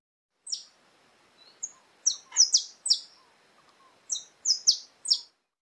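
A finch sings a loose string of very high, sharp chirps, about ten in five seconds, some in quick pairs, against a quiet background.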